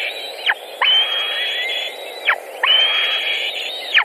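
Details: White-tailed eagles at their nest in Latvia on 14 June 2019, during feeding of chicks after deliveries of pike and rabbit; long, thin high whistled notes with slurred ends, two drawn-out calls over about four seconds.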